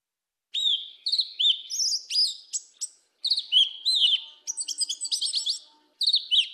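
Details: Yellow-legged thrush singing the southern 'mateiro' song style: quick varied phrases of clear whistled slurs and rising-falling notes in bursts, with short pauses between, over a faint steady low hum.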